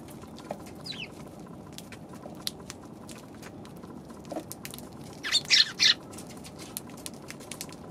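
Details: Eurasian tree sparrows on 29 December, near the end of the year, described as lively; one faint descending chirp early on, then a tight burst of loud, harsh chirps midway, over a steady low hum and scattered clicks.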